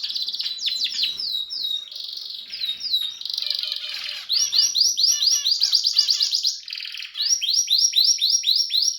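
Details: Harz canary singing with red and variegated canaries, mixing long rolling trills, rapid repeated downward sweeps and short pauses, with high thin tones.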